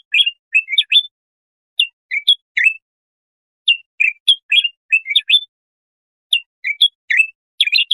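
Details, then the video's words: Bulbul song for training young goldfinches or hybrids. Fluty phrases of a few rising and falling whistles repeat after gaps of about a second. The background is clean. "تغريد طائر البلبل"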